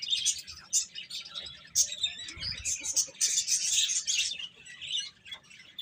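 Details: Chickens as young chicks, eating and playing, produce quick high chirps in irregular clusters, roughly four per second, with a soft low thump midway.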